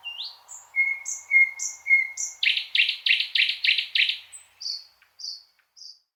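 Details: A thrush nightingale delivers rising whistles and flat pure tones, then a powerful rattle of about eight rapid buzzy strokes, ending with a series of high descending whistled notes. Quiet background.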